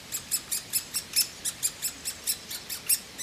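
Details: Begging from woodpecker chicks being fed by both parents: a fast, fairly even series of short, rasping high squeaks, about four or five each second.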